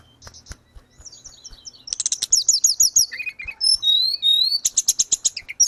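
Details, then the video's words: Grey-cheeked bulbul in active song, recorded as tutoring audio for cage birds: soft, scattered clicks at first, then loud rapid strings of high chirps, thin rising whistles, and a series of quick pulsed notes. "Terapi tledekan gunung _gacor cocokjuga cocok buat masteran"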